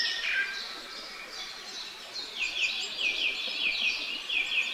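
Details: A pair of great spotted woodpeckers caring for their young: faint chirps, then a series of short downslurred high notes repeated roughly every third of a second in the second half.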